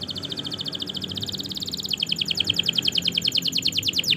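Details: Canary tutor song meant to get silent and young canaries singing: a quiet, very fast trill that steps down to a slightly lower rolling phrase, over steady background hiss.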